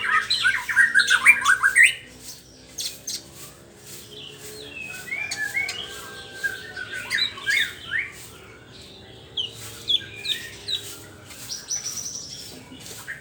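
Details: White-rumped shama morning song: a burst of rich, fast, varied whistles in the first two seconds, then scattered short chirps and sweeping notes at uneven intervals.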